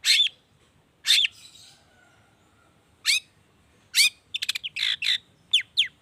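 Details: Long-tailed shrike singing a 'toet toet' variation lure to prompt other shrikes: a few sharp rasping notes, then a quick stuttering burst of clicks and scratchy calls.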